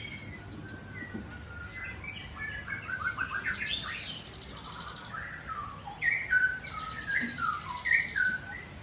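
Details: Morning song of a bred long-tailed white-rumped shama at a farm in Bogor: varied, rich whistled phrases sliding up and down, in bursts with short pauses, overlapped by fast high chirps and twitters from other birds.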